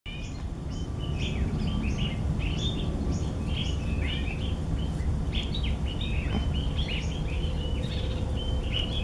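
Chestnut bulbuls give short, bright, chattering chirps in quick overlapping bursts, several birds at once, over a steady low rumble of background noise.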